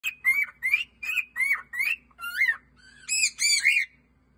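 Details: A male cockatiel on his 15th birthday sings cheerfully: a string of about ten clear whistled notes, each rising and bending, ending in brighter, harsher warbled phrases.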